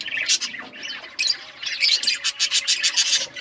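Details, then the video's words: Budgerigars kept as pets chirp as they eat, giving loud, harsh, rapid chatter in dense bursts, with brief pauses between the outbursts. "Birds eating food budgies chirping sounds"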